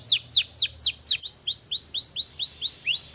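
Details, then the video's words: Canary, a kept songbird, singing a quick run of sharp, down-slurred whistled notes, then a series of upward-sweeping whistles at about four per second, with faint low hum underneath. "kenari gacor siang malam"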